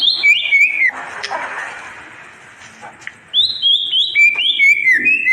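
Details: White-rumped shama song to tutor birds that stopped singing: clear whistled phrases, a soft noisy passage in the middle, then bright downslurred whistles repeated in quick succession.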